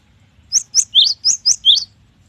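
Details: Cinereous tit (gelatik batu) singing in full voice ('gacor'): six loud, high, ringing notes in a quick, evenly paced phrase, some dipping slightly lower in pitch, with a quiet background.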